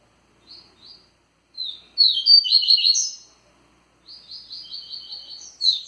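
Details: Two soft introductory notes lead a rusty-collared seedeater into its lively Tui Tui song, a loud rapid twitter, followed after a pause by a steady run of repeated buzzy notes ending in a sharp burst.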